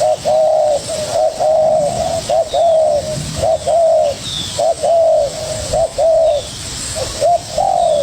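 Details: Spotted dove, a young bird dueling eagerly with a decoy: an unbroken string of mellow mid-pitched coos, short notes alternating with slightly longer arched ones, about one every second, against faint hiss.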